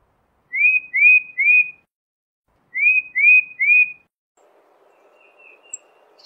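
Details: Tufted titmouse whistling two bursts of three rising, slurred notes, like a quick peter-peter-peter, about two seconds apart. Faint background rustle and a distant soft chirp follow.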